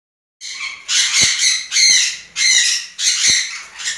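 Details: Tame pair of juvenile red-fronted conures giving harsh, broadband screeching squawks in rapid bursts of roughly half a second, four or five in a row with brief gaps.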